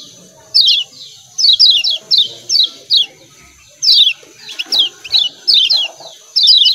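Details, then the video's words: Lemon-bellied white-eye, locally kecial kuning, from Lombok, repeating its "ciak ciak" call: high, quickly descending chirps grouped in twos and threes, about a dozen bursts, with a steady high-pitched hiss and faint low background sounds. "CIAK CIAK KECIAL KUNING"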